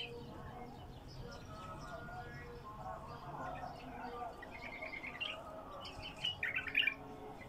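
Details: A wild bulbul in its first isolation gives short, bright chirping phrases that grow louder and more rapid toward the end, over a steady low hum and faint background murmur.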